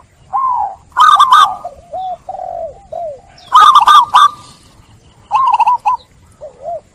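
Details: Zebra dove lure song, played as therapy so trap-stressed doves that stopped cooing start again: three loud bursts of rapid, rolling, mellow coos, with softer, lower, drooping coo phrases between them across seven seconds.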